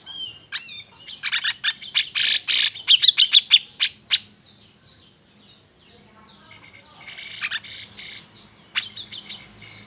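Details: Agitated grey-cheeked bulbul song, used to goad reluctant birds into singing. A dense run of rapid chirps and harsh squawks fills the first four seconds, then a quiet gap, then scratchy buzzy bursts and a final sharp note.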